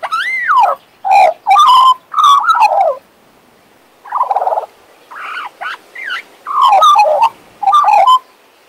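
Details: A pet male Western Australian magpie warbles in bursts of rich, gurgling, fluting phrases. Rising and falling slurred notes are broken by short pauses, with quieter, softer passages midway through.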